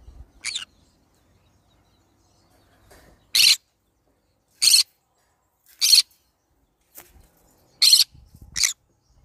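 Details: Green-cheeked conure repeating short, harsh, grating screeches roughly every second, six or so calls of similar length with quiet gaps and faint low thumps.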